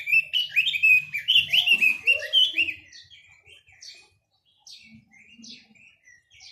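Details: Chinese hwamei opening with a loud, rapid torrent of varied whistles and slurred warbles, then tailing off into quieter, spaced single notes and brief pauses, with soft low thuds underneath.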